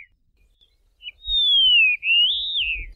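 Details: Karoo Long-billed Lark in the southern Karoo, South Africa, giving a long, clear whistle that slides slowly down, then rises and wavers before falling away, lasting under two seconds.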